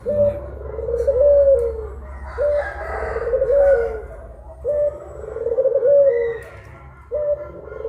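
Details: Puter pelung collared doves, two Indonesian birds, cooing around midday: low drawn-out coos recurring about every two and a half seconds, with a softer higher overlapping voice, over a faint low hum.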